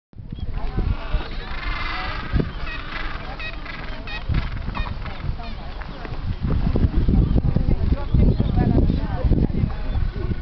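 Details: Gentoo penguins (Pygoscelis papua) calling in a noisy chorus of harsh, honking brays with overlapping voices, over a heavy low rumble of wind or surf.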